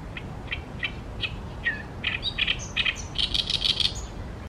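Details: Oriental reed warbler by the Tama River delivering a harsh, repetitive song: spaced creaky notes about every third of a second, quickening into a dense run of loud grating, chattering syllables, then trailing off over faint background noise.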